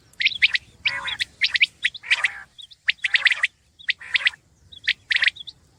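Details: Common quail phrases of two or three hard, clipped notes roughly every second, alternating with harsher buzzy rasps and a few thin whistled chirps in the background.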